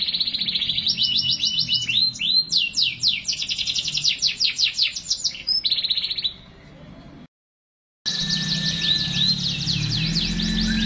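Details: Canary song of fast repeated sweeping notes and trills, then a sudden silence, followed by further high chirping over louder low background noise.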